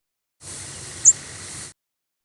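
An American Redstart gives a single very high, thin, almost whistled flight note, barely modulated and over in an instant, against a steady background hiss.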